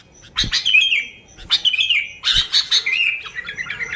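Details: Sooty-headed bulbul singing vigorously, used to attract bulbuls: three bursts of bubbly whistled notes sliding downward, trailing into softer rippling warbles, with occasional knocking clicks.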